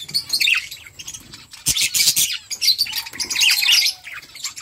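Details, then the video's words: Budgerigar flock feeding together, giving busy high chirps and chattering warbles in several loud bursts separated by brief lulls, with a sharp tap or click near the middle. "Beautiful budgies flocks birds chirping sounds budgie eating"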